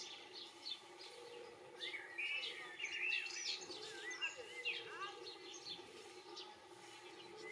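European goldfinch giving quick, liquid twittering notes with bright tinkling slurs in irregular bursts over a steady background hum.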